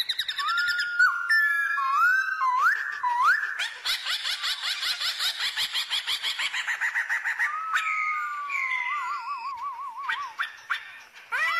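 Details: White-cheeked laughingthrush female kept to rouse singing birds: rising whistled slurs, then a long fast rattling chatter, followed by a wavering, trilled whistle and more slurred notes.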